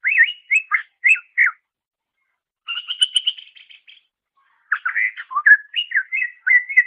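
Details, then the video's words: Greater green leafbird song for training songbirds: quick clusters of chirping whistles, then a buzzy twittering run. After a pause come jumbled slurred notes. "Masteran Suara Cucak Ijo"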